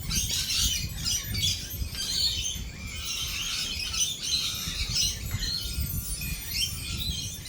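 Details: Dense, continuous shrill chatter of several lorikeets during a storm with rolling thunder and lightning, screeches overlapping throughout, low rumble beneath.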